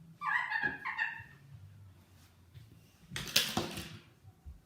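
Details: Pet eclectus parrot chattering indoors: two harsh, nasal, layered calls early on, then a burst of loud raspy noisy chatter after a quiet gap, with faint room sounds.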